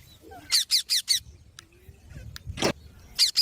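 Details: Green parrots give four quick harsh high squawks in a row, a pause with faint clicks, a single broad screech, then two more squawks.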